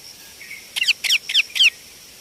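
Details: Indian ringneck parakeet chick with four short, rasping calls in quick succession after a faint soft note, over a constant thin high-pitched hum.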